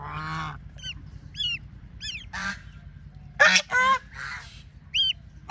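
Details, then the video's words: Ducklings playing in water, giving scattered, nasal, honking calls along with short, high, rising and falling peeps, each about a quarter second long and spaced irregularly, over a steady low hum. "Relaxing Duck Sounds"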